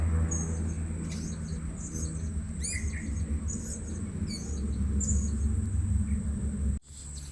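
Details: Blue-crowned hanging parrots being lured at a new trapping spot. Short, very high, thin chirps and quick downward-sweeping squeaks come in scattered bursts over a steady high electronic-like whine and low rumble.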